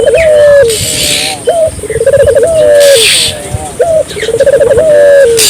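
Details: A Barbary dove calling again and again, used to stimulate local doves to call. Short notes alternate with trembling pulsed rolls ending in long falling coos. Rushing noise bursts and faint chirps sit in the background.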